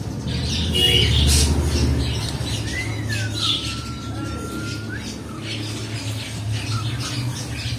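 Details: Kept cockatiels mix rasping squawks with a long whistled note that slides down and then holds level for about two seconds, over constant low background hum.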